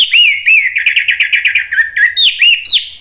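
Orange-headed thrush singing a rich, varied run of clear whistles and fast rolling trills, phrases changing every half second or so.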